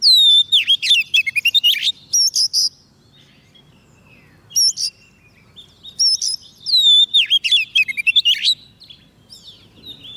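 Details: White-rumped shama fed soft food, singing to call in wild birds: rich, varied, fluty whistled phrases with sliding notes and quick chips, given in bursts separated by pauses over a low background hum.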